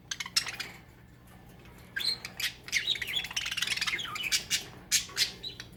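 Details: A pet budgerigar, apparently guarding its toy, gives a rapid run of harsh, scratchy squawks and chirps in short bursts.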